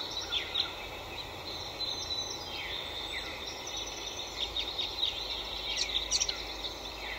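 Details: Small spring birds in trees about to bloom give thin, high chirps and quick downslurred whistles from several directions, set against a steady broad hiss of background noise.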